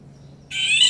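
A female Indian golden oriole gives a harsh, grating, nasal call that starts abruptly after a short quiet pause and carries on to the end.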